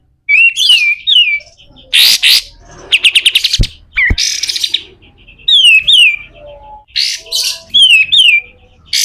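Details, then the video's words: Pied triller, a lively singer with a harsh 'besetan' song, recorded as a master track for training other birds: loud whistled notes sliding downward, clipped harsh noisy bursts, a rapid buzzy rattle midway, and a few low thumps. "SUARA KASAR‼️katem gacor dor, masteran burung"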